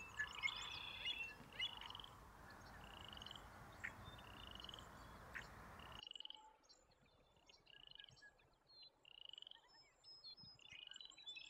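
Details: American avocets with young chicks in Alberta give sharp, high piping calls repeated about every one to two seconds over a steady background hiss, with an abrupt drop in background noise halfway.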